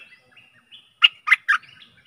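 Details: Stripe-throated bulbul song meant as a decoy for aggressive wild birds: three loud, rich warbled notes in quick succession, set against faint soft twittering and thin whistles.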